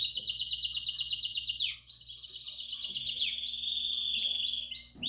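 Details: Bell-style Belgian canary song meant to stimulate young canaries: a dense high trill, a brief dip, then repeated looping whistled notes roughly twice per second over a continuing roll.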